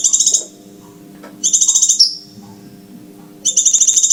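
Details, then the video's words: Scarlet minivet call used by bird trappers: three trains of rapid, piercing, high-pitched pulses, one finishing in a downslurred note, separated by about a second of quiet, low-level hum. "Rahasia cara mikat burung sepah raja,ya dengan mp3 jitu ini"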